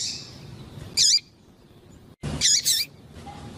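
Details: Female double-collared seedeater peeping persistently to stimulate a quiet male's song; a single bright chirp, a pause, then a quick pair of curling high notes, over soft background hiss.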